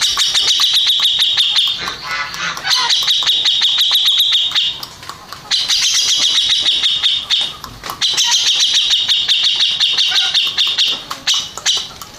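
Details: Fast, harsh chattering from a first-place contest-winning Grey-cheeked bulbul, high repeated notes in long loud bursts separated by brief quieter gaps, roughly four notes per second.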